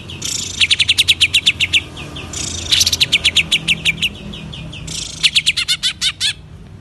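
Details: Greater green leafbird from East Java, kept bird in gacor voice, giving three fast trains of bright chirps, the last phrase with wavering upward-curving notes, faint low background hum throughout.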